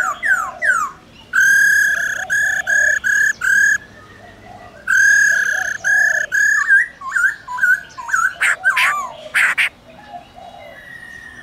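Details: Laughingthrush singing a forest-style song meant to call wild birds, with a female trilling alongside; opens with quick downslurred whistles, then a run of five loud, even, harmonic-rich whistled notes, a pause, more steady notes, and twisting slurred phrases.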